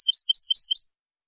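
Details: Training recording of a European goldfinch singing: a brief burst of sharp, high tinkling notes that alternate up and down in a bouncy rhythm and stop after under a second. The background is clean and quiet.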